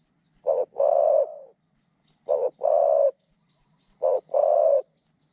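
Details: Spotted dove, a captive decoy bird with a medium-pitched voice and thin phrasing, used to lure wild doves: three phrases, each a short clipped coo then a longer, steady, slightly falling coo, spaced about 1.7 seconds apart.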